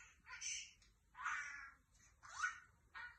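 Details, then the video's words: Lovebird kept as an ornamental bird giving harsh, raspy chattering calls in three loud bursts separated by short pauses, with a shorter burst at the end. "أصوات طير الحب يتكلم"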